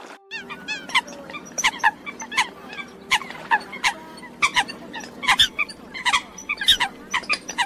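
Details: Eurasian coots give sharp, nasal, clipped notes about twice a second, some overlapping as if from several birds, a call used to lure migrating coots into night nets, over a low steady hum.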